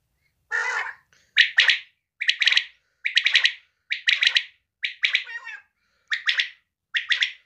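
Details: Female quail calling, a series of eight short harsh bursts, each broken into several quick pulses, repeated roughly once a second with brief silences between; no other sounds.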